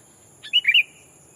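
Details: A single rapid, rich bubbling phrase of three or four warbled notes from a decoy sooty-headed bulbul calling a rival to lure wild birds. A faint steady high tone runs underneath.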